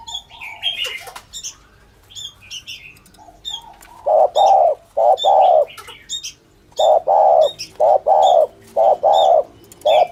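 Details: Spotted dove giving the 'thổ thúc gù' cooing style used to lure doves: after several seconds of thin, high chirps from other birds, a run of low, hollow coos in short groups with brief pauses between.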